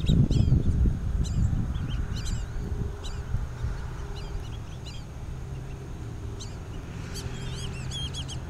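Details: Black-bellied Whistling Ducks with juveniles at Twin Lakes, Diamondhead, Mississippi, in 2017, give thin, high whistled notes in short bursts every second or so over a steady low rumble of wind.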